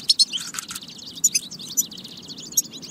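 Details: European goldfinch singing a batba, meant to encourage goldfinches to sing; bright clipped notes at the start, then a flowing twitter with accented chirps near one and a half and two and a half seconds.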